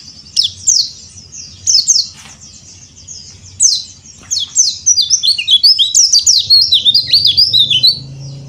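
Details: A yellow-breasted Bali white-eye sings cor dor style as training material for raw white-eyes: short high chirp phrases at first, then from four seconds a long, rapid stream of sharp up-and-down whistled notes, with a low hum underneath.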